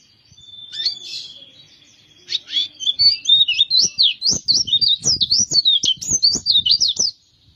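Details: White-eye (pleci) from Kintamani, Bali, singing a rapid warbling song of zigzagging high notes, about four per second, following a thin sustained whistle and a brief chattered opening, with faint clicks beneath.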